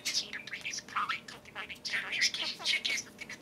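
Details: Two caged pet parakeets take turns talking to a spoon indoors, giving a steady run of rapid, buzzy, speech-like warbling. Squeaky chirps and whistled notes rise and fall without a break across the whole stretch.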